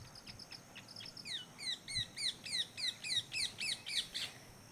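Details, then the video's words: A parrot calls loudly in a garden with guava trees, giving a fast run of sharp, downward-slurred notes, about four a second, over a steady high insect-like hum. "காய் இருக்கா கிளி சவுண்ட் கேக்குது."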